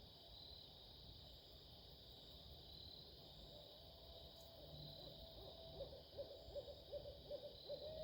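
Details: Barred owls give a drawn-out hooting note, then a quick run of short hoots, about two or three a second, over a steady background hum.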